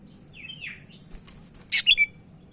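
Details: Actively singing Sumatran leafbird from Medan, kept as a training master bird: soft slurred whistles, then a quick cluster of three loud, sharp chirps ending in a short descending whistle, over a faint background hum.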